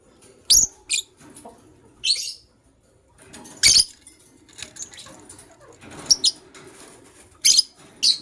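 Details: A matched pair of white lovebirds in the morning, giving short, harsh, high chirps in scattered bursts, about eight in eight seconds, with quieter rustling and faint chatter between them.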